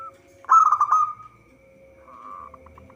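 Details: Local zebra dove song used as a lure for trapping: one loud pulsing rolled burst, then after a pause a soft fluttering phrase ending in a few separate short notes.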